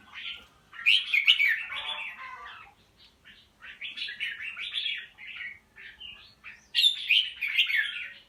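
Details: Red-whiskered bulbul (bạch lem), a caged bird that has found its voice and has a good fighting attitude, gives dense warbled and chattered phrases in loud bursts with brief silences between.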